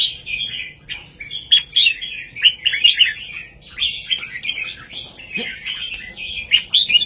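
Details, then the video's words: Red-whiskered bulbul performing a southern master song used to stimulate birds and teach chicks: continuous bubbling, whistled warbles at a brisk, uneven rhythm with loud accented notes throughout. "นกกรงหัวจุกเพลงแม่บทใต้ ลำหนักๆ ชัดๆ ยั้วนกฟังนกคึก เปิดสอนลูกนก"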